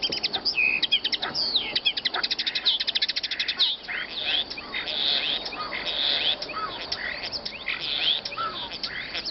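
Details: Songbird tutor recording for training birds: dense, fast chattering song of many short high notes and trills, with varied chirps throughout over a hissy background.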